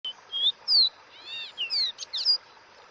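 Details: Capped seedeater (caboclinho) singing the "Dó Ré Mi" style of wild song: a quick phrase of clear, high whistled notes, some steady, some sharply slurred downward, ending in rapid twittering notes, over faint background hiss.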